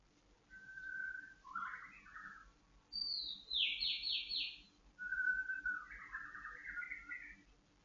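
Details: Captive white-rumped shama during dew-airing meant to stabilise its emotions and breeding drive: rich song phrases with a long steady whistle leading into fast, jumbled warbles, then a rapid high trill, then another whistle-and-warble run.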